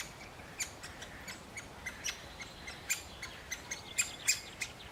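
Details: Great spotted woodpecker male at a nest, feeding its chick: rapid run of thin, sharp ticking notes, quiet at first and growing louder toward the end, roughly three per second.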